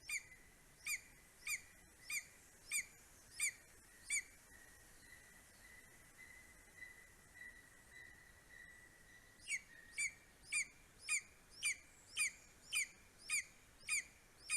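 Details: Greater spotted eagle in Estonia at 9:02 am on 2 July 2020, as the male brings a vole and a bird to his four-week-old eaglet: sharp, high yelping notes about every half second, pausing briefly, with a thin steady whistle-like tone behind.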